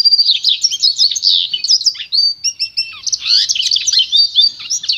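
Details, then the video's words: Pure song of a goldfinch × canary hybrid, offered for song training: continuous, varied, high-pitched twittering with quick slurred whistles, chirps and short trills, delivered loudly and without pause against a quiet background. "canto puro do pintagol"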